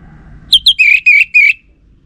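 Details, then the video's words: Orange-headed thrush bait sound meant to get males answering: a pair of quick high notes followed by three longer, buzzy, rising whistled notes, with low background hum before the phrase. "Ga Bunyi Dengan Pancingan Burung ANIS MERAH Ini dipastikan Itu Burung Betina, Jantan Pasti Nyaut"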